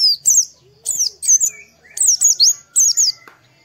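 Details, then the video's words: Morning lure song of an Oriental white-eye, played so that other white-eyes quickly start singing. Fast, piercing high twitters come in four short clustered bursts, each of slurred falling chirps, with soft lower whistles between them. "PANCINGAN PLECI DI PAGI HARI || TERAPI PLECI AGAR CEPAT BUKA PARUH"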